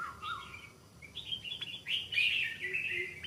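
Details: A newly caught wild Stripe-throated Bulbul in decoy training in the forest gives bright, bubbling, slurred, slightly doubled whistled phrases in a short burst over a faint low rumble. It is still holding back and not singing fully.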